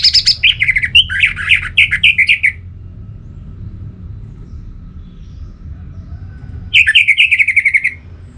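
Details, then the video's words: Orange-headed thrush sparring song, used to spur a kept bird into singing: a fast run of varied whistled and warbled notes for about two and a half seconds, a pause, then a shorter trilled burst, over a steady low hum. "Memacu Burung ANIS MERAH dengan Suara Pacingan Agar Selalu Berkicau Pagi Siang Malam TIdur"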